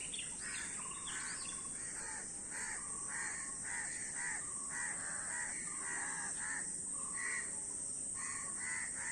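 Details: Many crows heard in short, choppy caws spaced across the stretch, some higher and thinner, set against a persistent high hiss.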